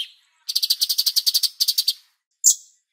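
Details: Black-crested bulbul song recorded after a water-bath break: a fast, high chattering run of about fourteen clipped notes, briefly broken in the middle, then a single sharp high note. Black-crested bulbul.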